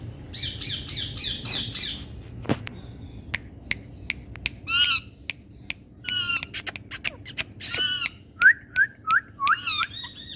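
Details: Indian ringneck (rose-ringed) parakeets give harsh, grating squawks in uneven bursts, then a run of short, sharp rising chirps, in an otherwise quiet room.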